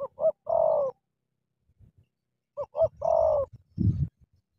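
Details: Spotted dove in Cà Mau, a "kèo thổ" bird that fights a wild "bổi" on meeting it. Two clear phrases of quick double notes and a long, sliding coo, followed by a burst of low scuffling.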